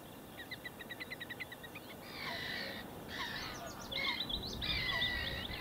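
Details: Four Little Grebes in the Wierdenseveld give a quick, high, even series of piping notes, about four per second, then harsher chattering, squealing bursts, perhaps from more than one bird.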